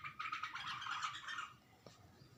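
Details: Bulbul looking at itself in a mirror, letting out one continuous rasping, chattering burst of about a second and a half, followed by a faint click and near silence.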